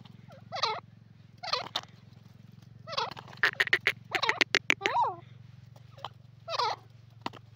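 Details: Grey francolin calling: repeated harsh, rising-and-falling phrases mixed with a rapid run of sharp clicks, over a steady low hum.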